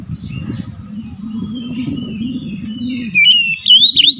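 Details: Oriental magpie-robin (kacer) in a low steady hum of background noise, quiet twitters early on, then loud rising whistled notes near the end.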